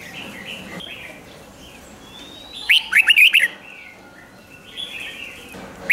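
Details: Caged-bird rousing recording of a red-whiskered bulbul singing rik style: one sharp phrase of six quick, clipped whistled notes, surrounded by quieter chirps and a thin drawn-out whistle from other birds.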